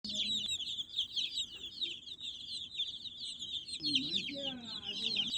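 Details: Baby chicks chirping in a dense, continuous chorus of high, shrill peeps overlapping one another, with a man speaking Telugu briefly near the end.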